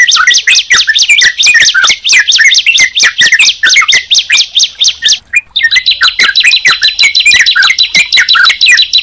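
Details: Sunda pied chat and yellow-vented bulbul placed together. Repeated looping whistled notes at a brisk, steady pace fill both halves, separated by a brief pause around the middle.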